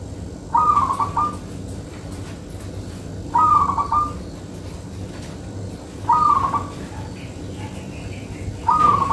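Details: Zebra dove of local Indonesian stock, a bird suited for luring, giving four brief rolling coo phrases at regular intervals near three seconds, each stuttering and bubbly, against constant low-pitched background noise.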